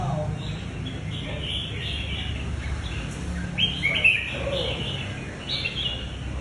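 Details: Red-whiskered bulbuls competing in a singing contest final, two minutes into the round; several loud, quick warbling bursts, strongest toward the middle and end, sit above constant low background hum and crowd noise.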